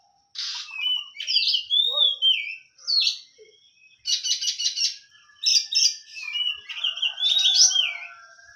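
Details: Oriental magpie-robin, a kacer kept for song contests, singing a varied, loud run of whistled slurs, rising and falling sweeps and rapid buzzy trills in bursts over eight seconds.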